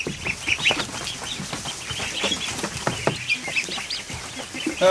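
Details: Over a hundred newly hatched ducklings in a kiddie pool inside a barn in the afternoon, giving many short high peeps that overlap in a busy, steady chatter with soft splashing and rustling beneath.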